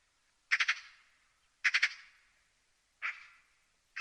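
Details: Magpie chattering: harsh, rasping bursts of three or so rapid notes, repeated about every one to one and a half seconds, with clear silence between them.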